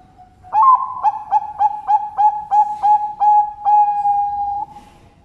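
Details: Zebra dove song from a bird farm in Sidoarjo, East Java, Indonesia: a string of around ten resonant, evenly pitched cooing beats running into a sustained final note lasting about a second.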